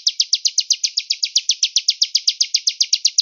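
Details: Velvet-fronted nuthatch singing a 'cigun gereja' style master song with pauses and a far-carrying voice: a steady, high, rapid trill of sharp chipping notes, about six per second, each sliding downward, with no other sounds.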